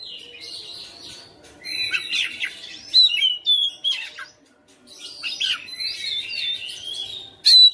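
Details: Oriental magpie-robin kept at home, singing in a persistent fighter style and showing off its repertoire. Rambling, scratchy warbles build into clearer slurred whistles, pause near the middle, then resume with mixed chatter and a final bright note.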